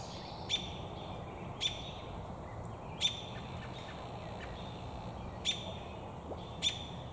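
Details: An American robin perched in a tree with its beak full of damselflies, perhaps seeking a mate, gives sharp, high chirps, five spaced one to two seconds apart, over a steady low background rumble.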